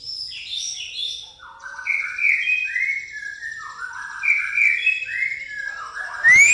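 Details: White-rumped shama singing pastol-style song filled with fighting-sparrow imitation: sweet whistled phrases stepping downward, then repeated rising slurred notes, with a faint steady high hiss behind and a sharp knock at the end.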